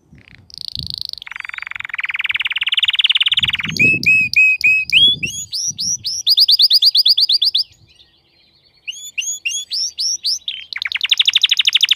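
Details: A crested canary in full form sings in fast rolling tours: buzzy trills, rapid rising chip series and bright whistled notes, high-pitched and continuous with one brief pause.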